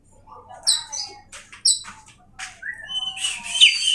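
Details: Kacer (Oriental magpie-robin) giving sparse high whistled notes and short chirps, building to a louder warbling phrase with a bright rising whistle near the end.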